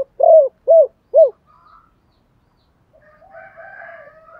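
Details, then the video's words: Spotted dove giving three strong, evenly spaced arched coos in the chiêu ba hậu style for stimulating other doves, followed by silence and faint, softer distant cooing. "tiếng chim cu gáy chiêu ba hậu"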